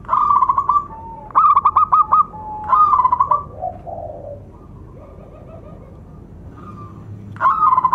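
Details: Local zebra dove with a loud, rhythmic voice said to attract and excite other doves and to prompt silent birds to sing. Bright trilled coo phrases repeat at about 0, 1.4, 2.7 and 7.4 seconds, with softer cooing between and a quiet stretch midway.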